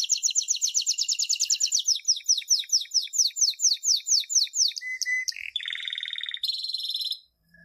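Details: Song from a 2016 champion canary, played to train young canaries: a fast buzzy trill gives way to repeated downslurred whistles, a short low steady note, then two contrasting rolled tours ending abruptly.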